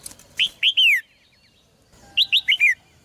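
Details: Caged red-whiskered bulbul, song aimed at making males sing hard: a three-note whistled phrase with a falling tail, a pause, then a four-note phrase of bouncy rising and falling whistles.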